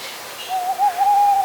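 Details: A tawny owl, heard at night in north Wales in February, gives a hollow, mid-pitched hoot: a short broken 'hoo' running into a long, steady, slightly quavering 'hoooo', over faint background hiss.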